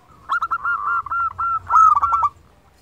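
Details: Local zebra dove in vigorous song, used to stimulate quiet doves to sing: a fast run of mellow, ringing cooing notes at steady pitch, with a louder burst near the end and faint low rumble beneath.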